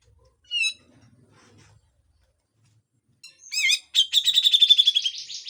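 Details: Grey-cheeked bulbul giving harsh besetan song for training cage birds: one sharp ringing note, a silent pause, then rising harsh notes running into a rapid buzzy pulsing rattle.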